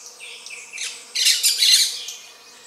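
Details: Gray-breasted parakeet (Pyrrhura griseipectus) during copulation. The bird gives rough, buzzy squawks: a softer series first, then a louder grating outburst that fades away. The background is quiet.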